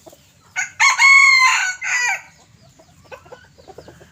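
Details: A yellow-hued red junglefowl rooster, crowing on a Friday morning, 23 February 2024, as the owner steps back, gives a short, clipped crow with a sharply cut-off ending.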